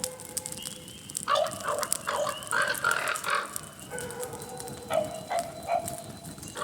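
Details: A Common Raven near an off-grid cabin in the Central Ontario wilderness gives hoarse, honking calls, some short and some drawn out, in several bursts, seemingly reacting to and mimicking dogs barking in the background.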